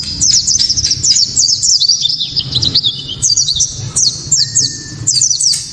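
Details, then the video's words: Japanese white-eye song used to provoke other white-eyes into singing, described as very loud, sharp and clear: rapid high twittering bursts of thin downslurred and zigzag notes, in phrases separated by brief pauses, one longer steady whistle near the end. "Pleci kaca mata‼️tembakan‼️penuh sensasi‼️ pleci bakalan ❓ pasti langsung ikut Gacor"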